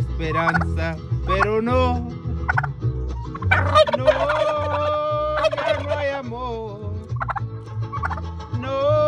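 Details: Domestic turkeys gobbling back at a person singing a Spanish love song to them: bursts of rapid, rattling gobbles break out again and again over the steady, low sung voice.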